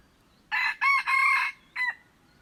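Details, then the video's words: A red junglefowl crows on 21 February 2025, giving a rough four-part crow: three joined bursts followed by a brief, abrupt closing note, against near silence. "tiếng gà rừng gáy"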